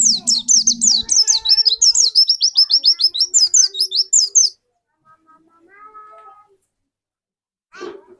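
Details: Caged white-eye kept as a lure bird to trigger another bird's song: rapid string of very high, thin, downslurred chirps tumbling for about four seconds, then quiet with faint low voice-like sounds and a brief noisy burst at the end.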